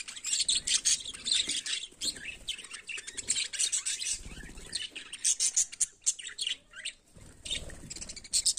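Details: Budgerigars warbling in the morning with energetic bursts of sharp chirps and raspy clicks, separated by short quieter gaps, and a low hum in the background.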